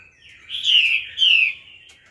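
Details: Laughingthrush singing wild-style phrases to stimulate younger birds: two drawn-out, slightly buzzy high notes that slide gently downward, each under half a second, over a quiet background.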